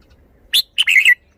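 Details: Caged red-whiskered bulbul from Thailand, showing its song style: one loud clipped note followed by a rapid rich warble that slides downward, all within about a second.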